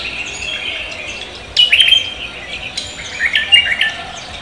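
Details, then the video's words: Cucak kombo leafbird greeting the dawn with energetic song: two loud bursts of warbled, sharp whistled notes after a quieter stretch of soft chatter. "cucak kombo koak kelapa gacor menyambut pagi"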